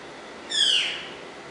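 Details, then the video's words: Pet grey parrot that talks and whistles gives one clear, slightly harsh whistle, high and sliding downward over about half a second, against a faint steady hiss. "African Congo grey parrot talking"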